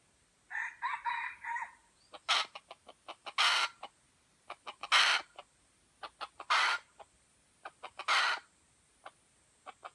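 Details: Junglefowl from Aceh (F1, white legs): an opening nasal harmonic call, then a long run of sharp clicks broken by five loud rasping bursts over ten seconds. A faint steady high hum is also present.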